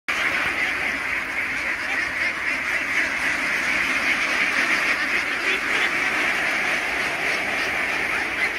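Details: Khaki Campbell ducks at a farm of about 3000 ducks during feeding: a dense, continuous din of many overlapping quacks from a large flock, with no single voice standing out.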